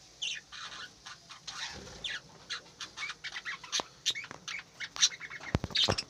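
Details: Budgerigars in an aviary in the morning, a soft mix of scratchy chirps and high twittering notes amid sharp clicks and rustling, with calls coming in short uneven bursts.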